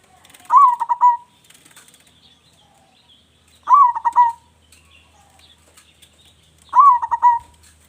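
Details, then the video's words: Zebra dove, a local Indonesian bird with a strong voice, in active song used to spur other doves to sing: three stuttering, hollow cooing phrases, each a quick run of clipped notes ending in a longer held coo, with soft chirping behind. "perkutut lokal gacor suara besar cocok untuk pancingan"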